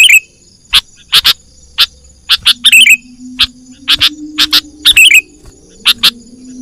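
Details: Sooty-headed bulbul lure call meant to attract wild birds for trapping: clusters of sharp chips and three falling chattery phrases, over a faint low humming tone that drifts slightly in pitch.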